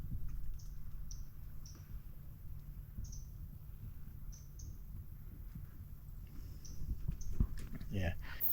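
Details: In predator-controlled forest near mangroves on a walk from Okiato to Russell, Bay of Islands, New Zealand, a New Zealand fantail gives thin, high 'chip' notes about every half second over a low rumble from walking and wind.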